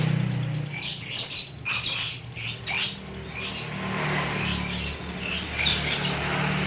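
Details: Pet lovebird giving ngekek chatter: a few sharp, squeaky bursts early on, then looser high twittering phrases, with a noticeable low droning hum throughout.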